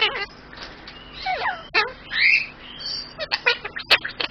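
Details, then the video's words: A pet male superb parrot named Ocka chatters in a thin, raspy voice, mimicking human phrases like "hello," "what are you doing," "who's a pretty boy," "give me a kiss," "oh thank you" between squeaky chirps and clicks. "my superb parrot talking"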